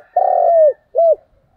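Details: Single phrase of a spotted dove's fighting call: one long, rough, level coo sliding down at the end, then a brief second coo.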